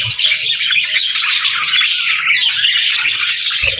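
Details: A group of pet budgies chatters busily, short whistled chirps and scratchy notes tumbling over each other in a steady, cheerful twitter.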